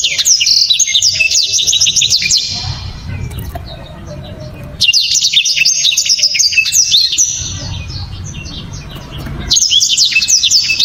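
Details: {'text': "Black-throated canary sings powerful, sharp, clear 'shots' in a dense loud voice. Three bursts of quick high warbling twitters with fast up-and-down slurs are split by quieter gaps holding low rumble."}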